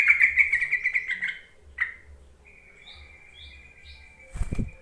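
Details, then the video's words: Lure call of a yellow-vented bulbul, meant to draw lazy bulbuls into answering: a rapid bubbly warbling burst that fades, one short note, then a long steady high tone with small chirps and a soft thump at the end. "Suara panggilan trucuk untuk memancing trucukan bahan ombyokan malas bunyi"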